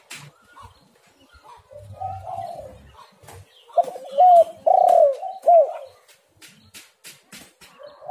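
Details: Lure recording of a spotted dove: quiet murmuring coos, then a burst of four loud arched coos mid-clip, followed by scattered sharp clicks and a final soft coo.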